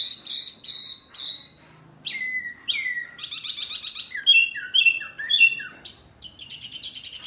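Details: Very noisy small Wambi bird, said to rile up other birds, gives three loud falling whistles, then varied slurred phrases, a dense buzzy trill and rapid high repeated notes at the end.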